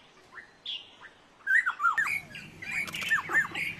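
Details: Black-necklaced Scimitar Babbler, recorded July 2011 at Dagangshan, Taiwan: harsh squawks mixed with quick, slurred whistled notes at a fast, irregular pace, with a rough rustling noise partway through.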